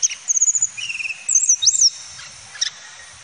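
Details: A male Cyornis flycatcher (tledekan gunung) sings very high, thin notes: a quick tinkling trill, a lower rattling run, then sharp slurred upswept whistles, all within a few seconds.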